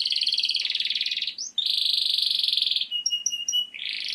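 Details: Canary singing to ready females for mating, here sustained buzzy rolling tones, a long even churr, then short high piping notes repeated about four times, over faint low background hiss.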